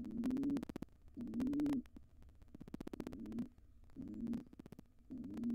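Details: Wild pigeons, an intruding pair, try to claim a barn owl nest box after the residents' nestling left. Low, gurgling coos come in separate bursts. Rapid tapping and rustling fills the gaps.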